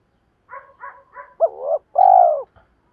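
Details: Decoy spotted dove calling to draw in wild birds and provoke rivals: three soft, quick notes lead into two louder, drawn-out coos, the last one long and steady, with nothing else audible.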